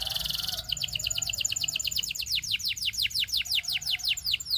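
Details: Canary singing: a brief buzzy trill gives way to a long series of quick descending chirps, about three per second, steady and bright over low background hiss.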